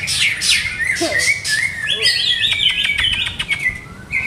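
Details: Captive greater green leafbird under trial for its song setting. Loud fluid whistles and slurred rising notes, a fast stuttering series of clicks, then a final clear whistle.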